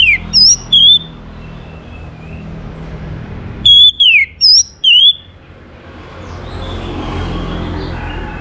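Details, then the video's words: Orange-headed thrush song, played to get other birds singing: two short bursts of bright, falling and looping whistles, separated by a quiet pause, with faint low hum throughout. "KICAUAN ANIS MERAH UNTUK PANCINGAN AGAR BURUNG IKUT BERKICAU"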